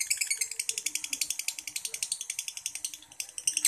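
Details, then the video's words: Yellow lovebird of the fighter type singing in semi-konslet style: a rapid, unbroken run of sharp, high chattering notes, roughly four per second, with faint low background sounds. "Yang Kuning Yang Asik l Lovebird Paskun Fighter Semi Konslet"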